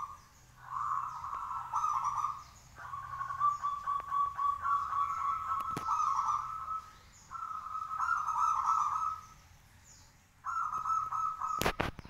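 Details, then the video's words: Local zebra dove singing steadily in a cage, its song meant to draw answers from other doves; four long trilled, vibrating cooing phrases at a steady pitch with short pauses, and a sharp knock near the end. "perkutut lokal gacor manggung 10 menit bikin nyaut lainya"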